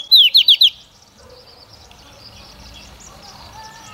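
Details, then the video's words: Female Oriental magpie-robin kept as a decoy to stimulate male singing, giving a brief burst of four fast, sharp whistled notes at the start, followed by low background hiss. "Chòe Than Mái mồi hót cực hay kích trống mở mỏ phần 2"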